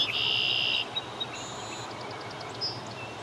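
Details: A red-winged blackbird by a lake gives one loud, buzzy trill lasting under a second. Faint high whistles and soft chips follow, with a low background rumble.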